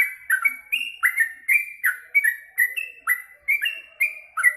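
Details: Yellow-vented bulbul singing energetically after a meal of mealworms: a quick run of short bubbly, rising chirps repeated about every third of a second, each paired with a sharp high click, with no other sounds.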